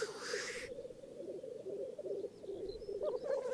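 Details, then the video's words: Lekking black grouse in northern England: a harsh hissing sneeze opens, followed by continuous low bubbling coos with faint higher chirps near the end. "Black Grouse Lek"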